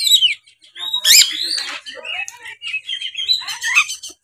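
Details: Oriental magpie-robin singing in 'gacor narung' challenge style to provoke rivals: a dense run of bright sliding whistles, buzzy trills and chattering notes, rising and falling without pause.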